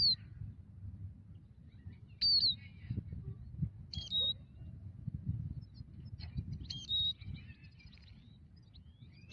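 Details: Migratory European goldfinch at a ground-net trap site: sharp, high, descending whistles at uneven intervals, some with a twittering tail, mixed with faint scattered chirps and a low background rumble.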